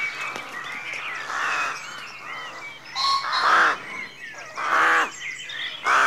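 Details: Rooks calling in a rookery at dawn: harsh, hoarse caws in three loud bursts during the second half, preceded by softer chirps and twitters from other birds.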